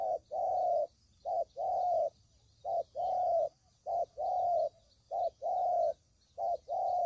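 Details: Spotted dove coos played to attract birds into traps: regular alternating short and long low notes, fairly evenly spaced, a steady rhythmic cooing sequence.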